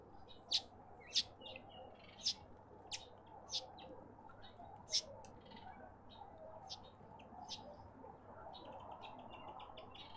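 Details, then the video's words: Karoo thrush at a bird bath in a suburban garden in Pretoria, South Africa; sharp, clicky chip notes repeated irregularly about once or twice a second, softer chirps between them, over a low steady background hum. "Karoo thrush"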